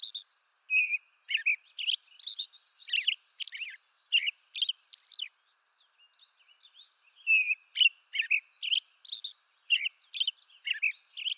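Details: Migratory American robin of eastern North America in full song: bursts of quick clear whistled phrases rising and falling, a quieter stretch midway with soft squeaky notes, then loud caroling resumes.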